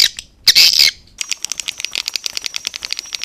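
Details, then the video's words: Lure sound of swiftlets, originally from Indonesia and played in Gia Lai bird houses to attract them: one loud harsh squeaky burst, then a fast, steady run of fine clicks and faint twittering. "Âm thanh gọi yến"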